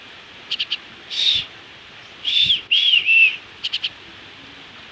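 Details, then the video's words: Pet common myna trying to learn words, at home: a few short clicks, then a series of high whistled notes, some sliding downward, and a triple chirp, with a woman talking to the bird around it. "মিঠু এখন কোথা শেখার চেষ্টায় আছে শালিক পাখি"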